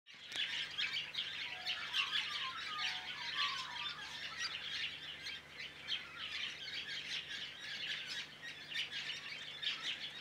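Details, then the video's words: A large mixed woodswallow flock, mainly White-browed with some Masked, keeps up a dense, continuous chatter of high, harsh chirps, many birds calling over one another without pauses. "Large flock of mixed Woodswallows (mainly White-browed but some Masked in there too)."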